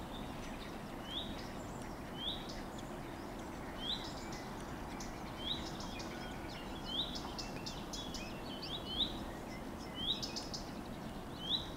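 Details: Common redstart contact call on 15 June 2023: a repeated thin, rising whistled note over a dense chorus of croaking water frogs.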